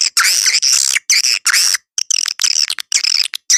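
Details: Edible-nest swiftlet lure call used to draw birds into swiftlet houses: loud, harsh, high buzzy chirps in bursts of up to half a second, separated by brief gaps.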